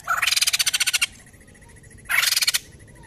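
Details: Poksay jambul, the white-crested laughingthrush, giving two loud, harsh, broadband rasping bursts, each made of rapid pulses. A thin steady rattle runs faintly between them.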